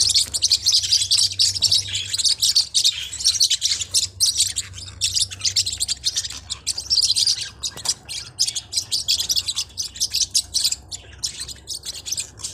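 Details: Forpus parrotlets, small hook-billed parrots, chattering in a steady stream of high chirps mixed with harsher squawky notes, loud bursts alternating with slightly quieter stretches, and a faint low hum in the first half.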